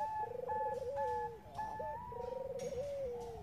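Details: Lure call of Bangkok zebra doves, a female calling the male: rolling, rapidly pulsed low coos under steadier higher whistled notes, repeating in phrases about a second long against a faint hiss.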